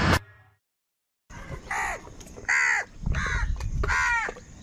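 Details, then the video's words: Crows crying out in anger while fighting for food: after a short knock and a silent pause, four loud harsh caws sound, each a downward-curving, strongly harmonic note, over a low background rumble. "Crow birds unity anger and Sound | কাকের ডাক Crow Sound Crow ki Awaz Loudly"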